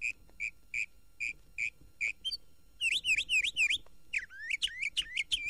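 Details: Northern Mockingbird in Florida, the state bird, singing day and on moonlit nights; recorded on a 1969 record. It gives a run of short clear whistles, then four quick slurred down-up phrases, then a new rising phrase repeated several times, changing after each series.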